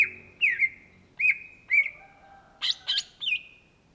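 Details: Greater green leafbird, called cucak ijo in Indonesia where it is native, in vigorous gacor song: clear sliding whistles about every half second, ending with harsher, louder notes.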